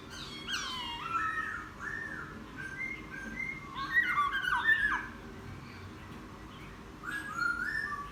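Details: A laughingthrush newly taken from the wild and kept ten days sings bursts of sliding whistled phrases, descending and rising slurs in groups separated by short pauses.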